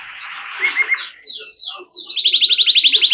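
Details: Yellow canary singing: a short buzzy warble, then a sweeping high note, then a fast, even trill of about a dozen bright repeated notes. No other sounds.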